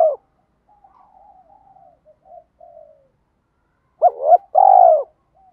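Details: Spotted dove cooing as a training lure in the 'thổ pha đồng' style. A soft, quiet, murmuring run leads to a loud hooked coo and a long rolling purred note.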